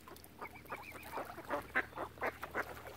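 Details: Crowd of ducks beside a swan family on Lough Neagh, Oxford Island, Ireland, uttering a burst of broad hoarse quacks, preceded by a short undulating whistle, with low background rumble.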